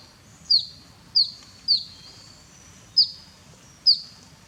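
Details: Grey-headed canary-flycatcher taking a bath in Cambodia: five piercing high chips, each a quick downward slur with a short ringing tail, spaced roughly one second apart over a soft low rumble.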